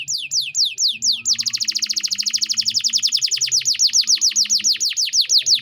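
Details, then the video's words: Canary master recording in 'gacor', 'cengkok mewah' style for training songbirds: several high sweeping notes, then a long, fast, even trill of sharp descending notes. "MASTERAN KENARI GACOR || Cengkok Mewah Mudah Masuk untuk Burung Bahan & Paud"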